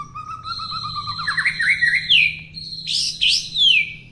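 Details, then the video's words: White-rumped Shama with a long tail giving a whistled phrase that climbs steadily from low to high pitch, then bursts into loud, fast sweeping slurs and bright high notes. "MURAI BATU EKOR PANJANG TOP BANGET!"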